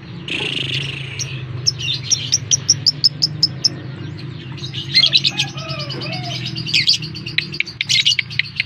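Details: Lovebird calling as a lure to get other lovebirds to respond: continuous high, twittering chatter with quick repeated clicks and a couple of slurred whistles, over a low steady hum.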